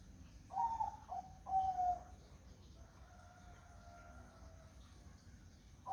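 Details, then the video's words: On a foggy morning a zebra dove gives soft, slightly trilled coos in a short run of three notes, followed by a faint long steady tone and a new coo starting at the end. "Suara Burung Perkutut di Pagi Hari Berkabut"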